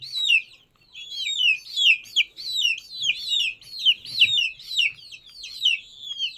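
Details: Young domestic chick gives continuous, rapid peeping, about a dozen shrill whistled notes that fall in pitch, closely spaced and with a steady rhythm.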